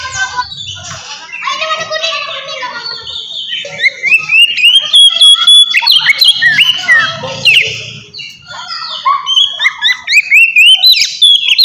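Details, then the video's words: Oriental magpie-robin in full 'ngeplong' fighting song, used to provoke aggression and mating mood in young birds: long varied stream of whistles, rising slurs and buzzy chatter, with faint low rumbling at times. "KACER NGEPLONG GACOR TARUNG!! INI AMPUH BUAT MANCING EMOSI DAN BIRAHI KACER BAHAN"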